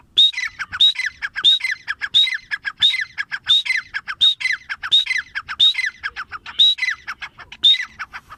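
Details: Grey francolin (teetar) calling in a loud, harsh repeated phrase: a high clear whistle followed by descending grating notes, about one and a half phrases a second, steady throughout.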